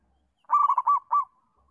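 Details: Zebra dove of local stock, played to teach young doves to call: a short burst of four rolling, slightly rising coos, the final note drawn out and trailing off, on a clean silent background.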